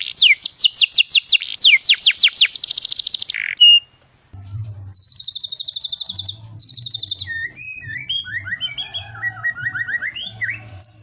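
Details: White-rumped shama bait song for stirring other birds: fast high downslurred whistle series, a brief gap, then varied chattering and twittering phrases over a steady low electrical hum.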